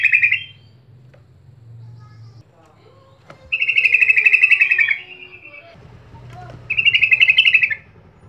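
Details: Yellow-vented bulbul sound, used as a lure to get other birds of its kind to sing. Three bursts of fast, bubbling, rattling notes, each about a second long, separated by pauses with a low steady hum and faint sounds in the background.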